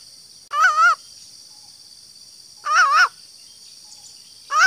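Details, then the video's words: Green junglefowl female call that attracts males: three drawn-out, quavering, nasal notes spaced roughly two seconds apart against a continuous high hiss. "suara betina ayam hutan hijau super ampuh untuk memancing suara pejantan"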